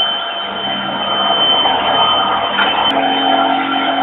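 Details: Loud guitar-like music with sustained tones and a steady high note, with no animal calls.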